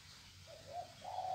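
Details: Bekisar chicken, a cross between a male green junglefowl and a domestic hen, calling after getting loose; a short crow of three tonal notes, each rising slightly and the last held longest, over faint low background rumble.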